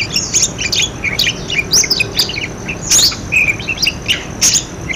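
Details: Budgerigar chatter for prompting non-calling budgerigars: lively mix of squeaky whistles, rising chirps and harsh squawks tumbling quickly over one another.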